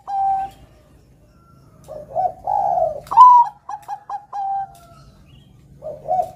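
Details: Zebra dove, the Javanese perkutut, a Bangkok-type bird singing actively: low burry coos, then a sharp rising note and a run of quick clipped hoots ending in a drawn-out level coo, with soft low hum.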